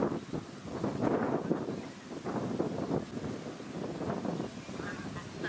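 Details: Pacific black duck (Anas superciliosa) at a small artificial lake on the Sunshine Coast, Queensland, in December 2017, gives harsh, nasal quacks in loose bursts, with wind, birdsong and a low suburban rumble throughout.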